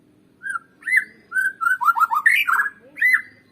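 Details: A white-rumped shama sings to stimulate caged birds into song, giving clear whistled notes that build into a quick series of downslurred phrases and a bright rising flourish, then a final whistle.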